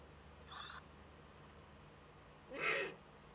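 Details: Juvenile Eurasian eagle-owl filmed by a nest webcam in northern Rhineland-Palatinate, Germany, on 15 May 2013 at its first contact with another owl; two hoarse, hissing rasps two seconds apart, the second louder and longer.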